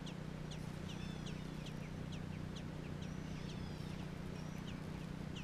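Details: American robin nestlings in Georgia give a busy series of high, thin, down-slurred chirps, several voices overlapping at an irregular fast pace, above a constant low electrical-sounding hum.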